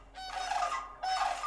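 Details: Mated sandhill crane pair in Alaska on 8 May 2013, back at their snowy marsh nest territory in the evening before flying off to roost. They give a unison call, the male single and the female double: loud, rattling, rolling bugles against a quiet background.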